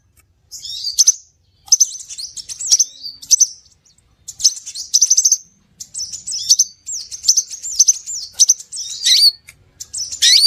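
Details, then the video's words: Scarlet minivet call played as a bird lure: dense runs of thin, very high chattering and twittering notes, with brief pauses between bursts and a few slurred whistled notes near the end, no other sounds. "Suara pikat burung SEPAH RAJA"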